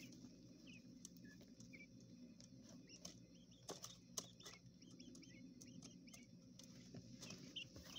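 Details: Indoor coturnix quail chicks raised in a hotel room; short upslurred then downslurred peeps, sparse at first and then clustering into a run of chirps, with background hum and scratching taps.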